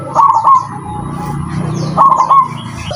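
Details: Zebra dove in a singing contest, under judging: two bursts of quick, trilled cooing notes separated by a quieter stretch, over steady low background rumble.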